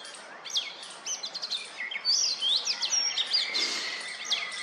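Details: Male-style courtship calling by an oriental magpie-robin on a wooden stump, addressed to females: quick high chips building into loud, varied whistled slurs and trills, with a sustained tone near the end.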